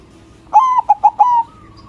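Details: Loud song from a local white zebra dove, aimed at provoking rival doves: a long smooth coo, two brief notes, then a trailing coo that tails off softly.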